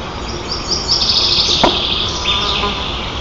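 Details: White-tailed eagle nest, Nizhnyaya Kama National Park, Tatarstan, 18 June 2024, young birds teasing a sister and flapping wings; busy shrill squealing and chittering runs, with a sharp knock midway, over background hiss.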